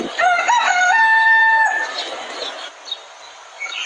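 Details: Rooster on a chicken farm giving one crow: a short rising start, then a sustained flat note that fades after about a second and a half, with faint farmyard noise after.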